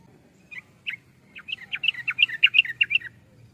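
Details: Sooty-headed bulbul (trucukan) song: a few scattered chirps, then a rapid run of bubbly, slurred notes swinging between lower and higher pitches, about eleven notes in two seconds, over a faint low hum.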